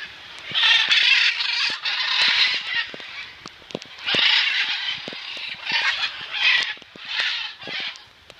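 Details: Rescued macaws at a sanctuary play and shower in the rain, giving loud, harsh, raspy squawks in bursts of about a second, several in a row, over the patter of rain.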